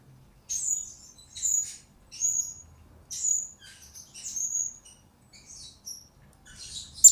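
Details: Spaced, shrill squeaky notes from a blue-crowned hanging parrot, about one every second, in a recording used as a lure and master for bird training; quiet background apart from faint low hum.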